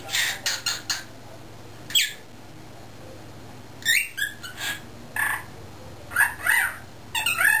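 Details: Pet cockatiel, a young male not yet a year old that is developing talking skills, caged among other cockatiels during driveway work; mixed harsh squawks and warbled notes in irregular bursts over low background hum.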